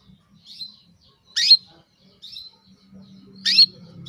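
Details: Female canary calling a male to stir him into breeding readiness; two loud sharp chirps two seconds apart, each preceded by a softer thin whistled note, with a low faint hum underneath.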